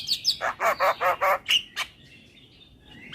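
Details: Javan myna song: seven rapid, buzzy rasping notes, then two sharp whistled chirps and a thin, rising whistle at the end, against a quiet background.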